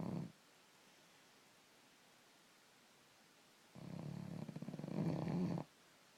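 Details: Young common raven, five to six months old, snoring loudly: a brief low rasp, a quiet pause, then a rough, throaty rattling snore lasting about two seconds.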